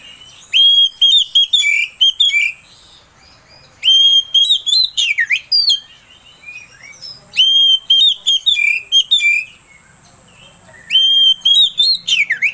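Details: Oriental magpie-robin (kacer) lure song meant to stir another bird into song: four similar phrases roughly every three seconds, each a clear whistle followed by sharp notes and a swooping buzzy slur.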